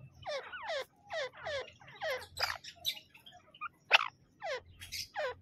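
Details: Grey francolin (teetar) pair, male and female, giving clusters of rapid, downward-sweeping shrill notes in rhythmic bursts about every second, then sparser scattered notes, with a loud sharp click near the end.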